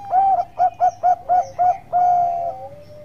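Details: Loud, close zebra dove of the Bangkok perkutut type giving its lure song to get other doves singing: six crisp, rounded cooing notes in a steady beat, then a long sustained tone dropping slightly in pitch.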